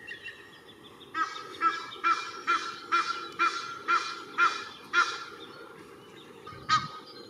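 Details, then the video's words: Egyptian goose family with a young gosling in a park at Cestas, France, in spring 2023, resting; a rapid series of eight harsh, nasal honks about twice a second, then a pause and one final honk, over steady low background hum. "Ouette d'Egypte, famille, cri"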